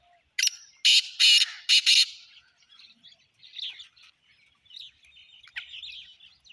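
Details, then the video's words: Black francolin calling: four loud, harsh, grating bursts packed into about a second and a half, each broad and rasping, then a quiet stretch with faint scattered chirps of other small birds. "voice titar sultan"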